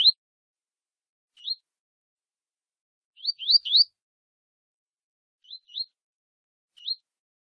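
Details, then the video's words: Double-collared seedeater of the Tui Tui style, singing beside a female as a warm-up for a contest: short, rising, slurred whistles given singly and in quick clusters of two or three, separated by silences. "Aquecimento Coleiro Tui Tui com Fêmea"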